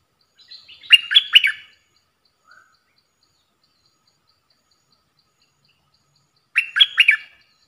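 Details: Stripe-throated bulbul lure song for bird trapping: two short bubbly phrases of quick liquid, chortling notes, about six seconds apart, with one faint note between them, over a silent background.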